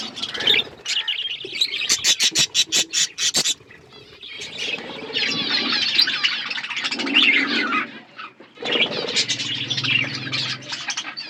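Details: Budgie chatter: a rapid series of sharp clicking chirps in the first seconds, then a short lull before continuous squeaky warbling and twittering resumes.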